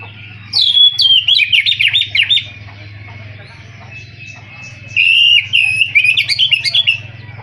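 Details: Oriental magpie-robin singing two bursts of rich whistled phrases, rapid chirps and quick up-and-down notes, separated by a pause of about two seconds. A low steady hum runs underneath.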